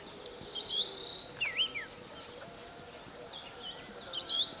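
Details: Unidentified bird singing in a sugarcane field at Bulechia, Western Kenya, in December 2011: clear whistled notes that swoop up and down, given in short scattered phrases over a steady high insect drone.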